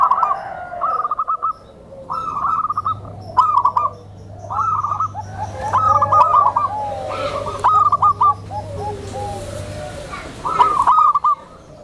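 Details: A tame zebra dove, kept to draw in and train new zebra doves, gives repeated gentle rolling coos in quick stuttering bursts, phrase after phrase, over a faint low hum.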